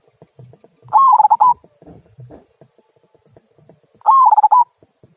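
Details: Zebra dove of local stock giving the 'kung' song meant to draw other birds into singing; two rapid, pulsing coo phrases about three seconds apart, each under a second long, with soft low thuds around them.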